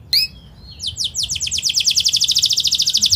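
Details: Energetic canary song, fast and tightly packed, meant to prompt young canaries to learn: a couple of sharp chirps, then a swelling run of rapid, evenly repeated high trilled notes.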